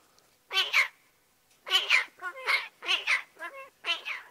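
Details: A talking pet male magpie mimics speech when happy and comfortable: nasal, word-like two-syllable phrases, one burst, a pause, then a quick run of four more, on a spring day with snow around and water dripping from the eaves.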